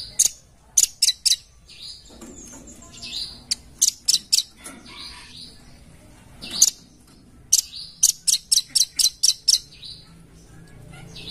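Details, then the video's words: Red-billed blue magpie producing its characteristic sound: short clusters of high, sharp, ticking notes broken by brief pauses, ending in a longer rapid chattering run. A few faint harsher sounds appear between the clusters. "Memancing Bunyi Suara Khas Burung Rambatan Paruh Merah"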